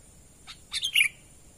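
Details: Short natural call of a sooty-headed bulbul used to lure wild birds, a soft lead-in note then a quick tumbling phrase ending in a bright, downward-slurred whistle.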